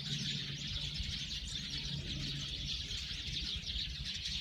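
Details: Many Eurasian tree sparrows calling at once, a thick stream of short high tweets without pause over low background rumble.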